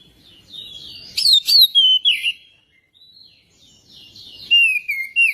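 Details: Magpie-robin song played to coax another bird into singing: a run of loud descending whistled notes with sharp clicks, a quieter stretch of soft warbling, then a fresh falling whistle.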